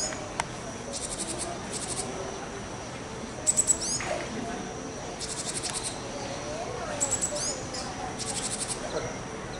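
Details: Japanese tit, wild bird at Marinepia Nihonkai, filmed 21 June 2023: harsh, buzzy, rasping bursts in short runs roughly every one to two seconds, with a few sharp high chirps mixed in, over a steady low background hum.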